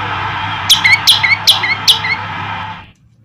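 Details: Male olive-backed tailorbird in full song, later set free in a village: four ringing, sharply falling notes, each trailed by a brief lower whistle, repeated evenly about every 0.4 seconds over a steady broad hiss that then cuts out.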